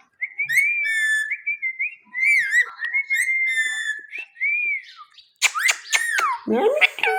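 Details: Indian ringneck parakeet kept as a pet, mimicking speech in a small room: a long string of warbled, whistle-like syllables, a brief pause, then harsh squawks and a descending harmonic cry.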